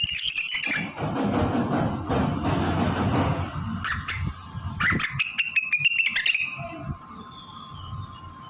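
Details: Blue-winged leafbird singing with copied phrases of magpie-robin, canary, prenjak and ciblek; high warbles open, then heavy low rumbling noise masks it before bursts of clicking, trilled notes return, ending in a steady tone.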